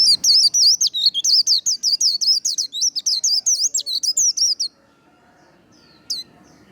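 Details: 'Líu đấu' fighting-style song of a white-eye, played to stimulate and train singing: fast chattering stream of high looping notes for four and a half seconds, then near silence broken by one lone note.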